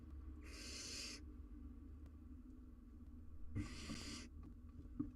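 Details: Wild barn owl owlet on a live cam, trying to eat a large jird prey: two long, harsh, breathy hissing screeches, each under a second, separated by a quiet gap with low background hum.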